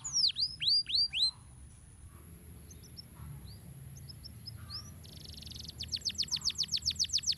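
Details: Canary master song for training birds: loud descending whistled sweeps, a near-silent pause with a few soft chips, then a buzzy burst and a rapid train of high downslurred notes.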